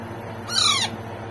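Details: Baby Alexandrine parakeet being hand-fed: a single harsh, rasping squawk lasting under half a second, rising then falling, in an otherwise quiet room.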